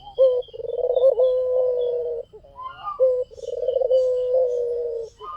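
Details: Actively singing white Barbary dove, recorded as a lure: two long purring coos, each a rapid throbbing roll settling into a steady low note, with a faint high whistle behind.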